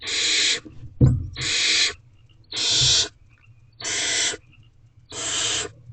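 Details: At a barn owl nest box during an evening rodent delivery by the adult male, five long rasping hisses come roughly every second, separated by silence, with one soft thump.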